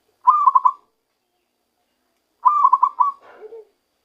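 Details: Trapped wild zebra dove beginning its true song: two quick bursts of four or five throaty pulsed coos, about two seconds apart, the second ending in a low, soft falling note.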